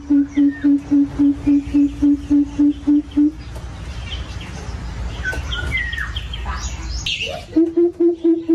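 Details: Coucal calling to its flock inside an aviary: a rapid string of low, resonant hoots opens the recording, then a noisy chattering gap, and the deep hooting series resumes at the end, with small birds chirping throughout.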